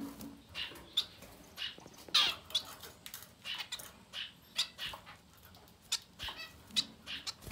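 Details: Society finch nestlings up to ten days old beg in a steady run of short high raspy calls, roughly one or two per second, with occasional sharper squeaks.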